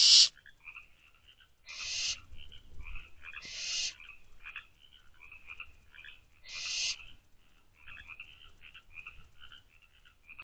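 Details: Night recording of barn owl owlets in a nest box on May 24, just after midnight, from an outside camera. A few scattered harsh hissing screeches stand out over continuous soft chirring and clicking chatter.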